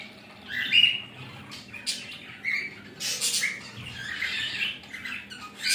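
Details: A mother budgerigar and her newly hatched baby chatter with scratchy squawks and warbles in irregular bursts, with a faint hum underneath.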